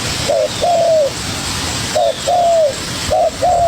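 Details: Young spotted dove dueling hard against a decoy bird, giving low cooing phrases: a short double note followed by a longer, slightly falling slurred coo, three phrases in quick succession over faint background hiss.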